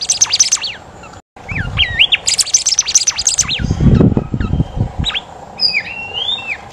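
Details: Australian golden whistler (Pachycephala pectoralis), a kept songbird, singing rapid, sweeping whistled notes and sharp up-and-down phrases.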